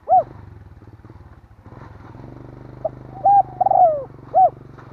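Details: Spotted dove lure call for attracting wild birds. A single coo opens, then after a pause comes a full phrase: a brief note, a level coo, a long descending coo and a closing coo, over a steady engine drone.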